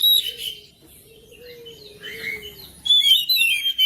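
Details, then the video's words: Oriental magpie-robin song played to prompt a quiet bird to sing: brief bright whistled phrases at the start and end, separated by a quiet stretch, over a faint steady low hum. "KICAUAN KACER BIKIN RAMAI SUASANA RUMAH"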